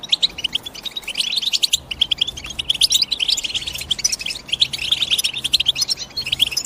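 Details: European goldfinch twittering: a dense, unbroken stream of quick high chirps and short trills, several voices overlapping with no pauses and brief louder bursts throughout.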